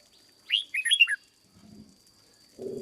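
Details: Caged red-whiskered bulbul under training as a decoy: a single quick phrase of descending, slurred whistles lasting under a second, followed by low rustling and a dull thump.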